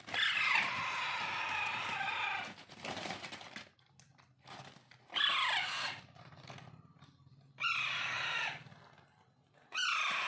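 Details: Young Alexandrine parakeets (pahadi parrot) fed by hand as pets: repeated loud, harsh, rasping squawks of about a second each, with the first drawn out, interrupted by soft rustles and a low background hum.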